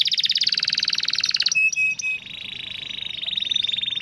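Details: Canary song used as a master recording to lure canaries that rarely sing or have stopped singing: a fast, pulsed high trill, a few sharp notes, then a long steady rolling tone that speeds up again near the end.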